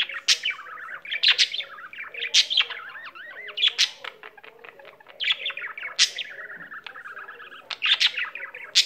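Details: Domestic budgerigar warbling on and on: continuous chatter of fast clicks and chirps, sliding whistled notes, and loud sharp squeaks roughly every second or so, with a low hum in the room.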